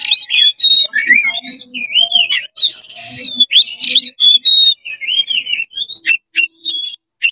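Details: An oriental magpie-robin in fast, excited song with tail spread, aimed at agitating other magpie-robins: a dense, continuous stream of slurred whistles, harsh buzzy notes and rising and falling phrases, ending in separate sharp chips.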